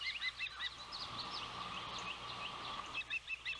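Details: Osprey at a nest in Savannah on a windy day, 12 June 2021, as the oldest chick makes its first flight and lands on a limb over the nest. Bursts of sharp, chirping whistled notes repeat rapidly over steady wind roar.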